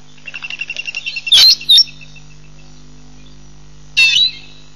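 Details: African green pigeon at Nkorho Pan, 15 June 2007: a rapid series of short, high popping notes quickening and rising, then loud squealing whistles near 1.4 seconds and again near 4 seconds, over a steady low hum.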